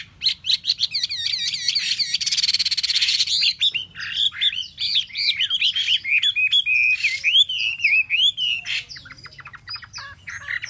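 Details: A Chinese hwamei, caged for three months, sings a loud, rich run of varied whistles, rapid trills and slurred phrases, shifting quickly from note to note with no other sounds.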